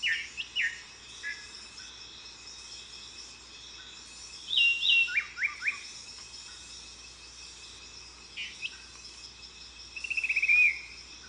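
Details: Yellow-billed thrush, also called Lawrence's thrush, a polyglot mimic known to copy over fifty bird species, singing varied phrases: sharp chips, a rapid series of falling whistles, and a closing trill, over a steady high insect drone.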